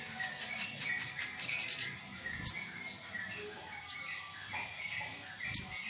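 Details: Energetic sunbird song used as a lure to provoke rivals: a shimmering wash of high twitters, followed by three isolated shrill piercing notes spaced about one and a half seconds apart.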